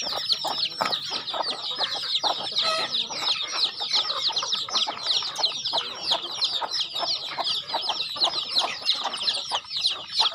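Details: Chickens being fed on a farm, a thick, restless chorus of shrill, downward-sliding peeps from numerous birds, fast and overlapping, holding steady loudness across the whole stretch.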